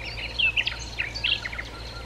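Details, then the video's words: Common nightingale (subspecies megarhynchos) singing at Sithonia, Chalkidiki, Greece, on 10 May 2020: a rapid run of short whistled and chirping notes, some sharply slurred, in quick bursts, over a steady low background hum. "Luscinia megarhynchos megarhynchos Αηδόνι on singing"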